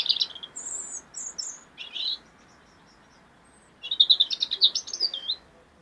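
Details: European robin in song, 2016 recording: thin, very high whistled notes and short warbled fragments, a brief silence, then a quick sparkling burst of about a dozen trilled notes over a steady background hiss.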